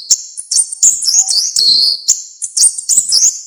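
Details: Orange-headed thrush singing a dense, varied song, used as a tutor recording for songbirds: high sharp whistled notes and quick trills packed closely together with short gaps.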